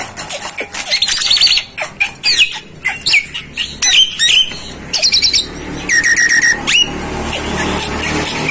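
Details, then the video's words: Jalak starling masteran song, dense and fast: a rapid sequence of chattering, clicking high notes followed by buzzy harmonic phrases and a long repeated stuttering note, delivered almost without pause. "masteran jalak paling di cari saat ini"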